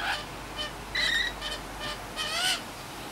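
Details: Wild rainbow lorikeets visiting a suburban Sydney, Australia garden in the afternoon give harsh, screechy calls in short bursts, about four in three seconds, some with shrill whistled overtones over a quiet background.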